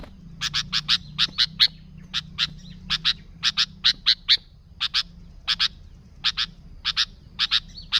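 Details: Vigorous sooty-headed bulbul song intended to lure bulbuls: crisp high chirps in rapid pairs and triplets, with gaps of about a second between groups.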